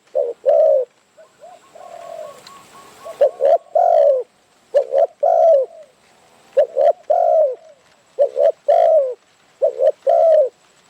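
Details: Spotted dove cooing as wild birds come to confront a decoy in Phrae, Thailand; repeated deep hooted phrases, quick paired notes then a drawn-out coo, with a brief blur of rustling early on.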